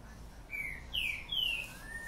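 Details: Green-winged saltator, a kept bird singing energetically in the morning: three bright whistled notes, each sliding downward, delivered in a quick series, followed by a fainter drawn-out whistle.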